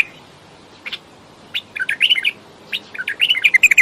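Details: Bulbul uttering a few isolated chirps, then a rising run of quick warbled notes and a second lively phrase of clear whistles and chatter.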